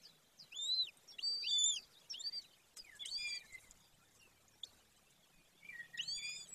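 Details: Golden eagles, female and male, nest number 1 in the Carpathian Mountains of Bucovina, Romania, 18 May 2024 at 14:19: irregular high arched whistles with ringing overtones, separated by short pauses, faint low hum behind.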